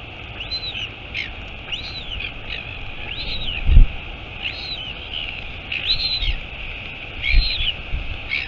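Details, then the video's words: Royal albatross nest, Taiaroa Head colony near Dunedin, New Zealand, 23 August 2022, with the mother arriving; a run of high arched calls, some doubled, over hiss, with a few low thumps and bumps. "Альбатрос. Прилетела мама - Albatross. Mom arrived"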